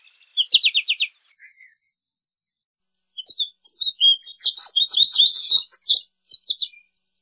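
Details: American goldfinch opening with a quick run of high repeated notes, then after a pause breaking into a longer, varied, twittering phrase of jumbled high notes lasting about three seconds.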